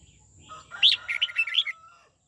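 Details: Red-whiskered bulbul kept for song training gives the twisting '89' style song: one quick, rich warbled phrase of bubbling, rising and falling notes lasting about a second, with a low steady hum underneath.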